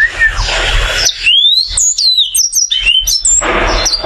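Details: Between two bursts of rustling noise, a caged oriental white-eye with joined brows gives a rapid string of very high, thin whistled slurs and sharp chips in its varied continuous song.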